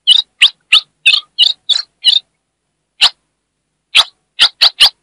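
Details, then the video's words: A female ultramarine grosbeak, used to excite males, gives short, high, hissing chips, first in a quick run of seven, then spaced out after a pause, with no other sounds. "Essa FÊMEA vai deixar seu AZULÃO LOUCO│ESQUENTE SEU AZULÃO! MELHOR CHIADO DE FÊMEA"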